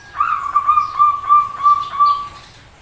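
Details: Zebra dove making an odd call: one long, steady whistled coo lasting over two seconds, pulsing in volume roughly every third of a second with a brief higher note near the end, then fading.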